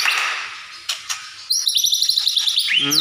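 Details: Captive White-rumped shama kept in Comal, Pemalang, singing as a lure meant to make other shamas respond to fight and sing: after a hissy, noisy start, a fast run of high, repeated chipping notes and bright trills ends with a downward sweep.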